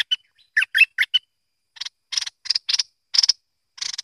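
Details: Bulbul known as merbah lekir or kuning gives a quick cluster of whistled chirps, then a string of grating buzzy bursts after a short pause.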